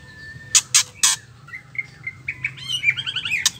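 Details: Female white-rumped shama ketrekan, used to make males sing: three sharp rasping bursts, then short whistled notes building into a fast rising-and-falling chatter.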